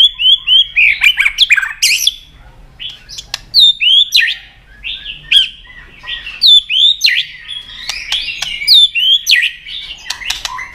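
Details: White-rumped shama (chòe lửa, murai batu) giving a long fighting song while flicking its tail to provoke a rival: a fast, varied run of high, sweeping whistles and sharp chips, with loud phrases broken by short pauses.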